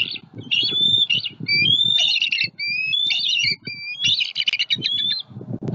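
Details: Nesting bald eagle pair in Southwest Florida, filmed by a nest camera as a juvenile eagle passes over the nest tree; the adults protect their eaglet with loud, shrill, squeaky chattered phrases repeated in rapid runs, with background rustle.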